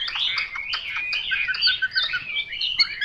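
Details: Chinese hwamei giving a short stretch of quick, overlapping chirps and warbled whistles.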